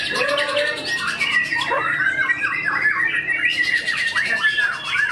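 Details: White-rumped shama, a tame contest bird in Indonesia, delivering imitated fill-in phrases: a loud sweeping whistle, then quick repeated squeaky notes and slurred trills, with softer birds and crowd noise underneath.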